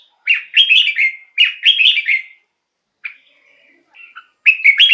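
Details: Red-whiskered bulbul singing, a recording used as a decoy for wild birds and to rouse caged ones: two quick warbling phrases of four or five liquid notes, a pause with soft faint notes, then another phrase starting.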